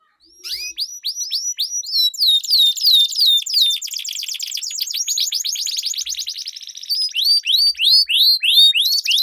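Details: Competition-trained canary song used as a training lure: rapid runs of high downward-sweeping notes, then a long fast trill from about two seconds, closing with louder spaced whistled slurs.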